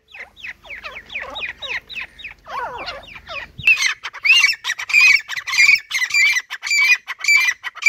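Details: Grey francolins, two males and two females, calling as they see one another; a burst of rapid, scratchy upslurred notes gives way to loud, shrill, ringing notes repeated about every half second.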